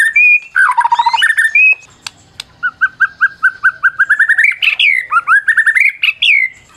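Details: Champion white-rumped shama of the Medan type, recorded as a lure to provoke silent shamas into singing: loud, varied song of clear whistles, a harsh rattling burst, then a rapid run of repeated rising and falling whistled notes.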